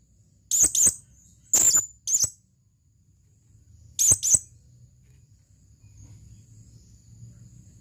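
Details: A male blue-crowned hanging parrot calls for a female, giving piercing high chirps in tight pairs, then a single chirp and a final pair, followed by quiet with a low background hum.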